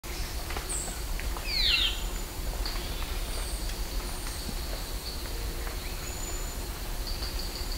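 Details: A Band-tailed Manakin (Pipra fasciicauda) from an isolated cloud-forest population on Baturité Mountain, Ceará, Brazil, gives a single sharp, downslurred nasal call, with faint high chips from other birds and a steady low rumble behind.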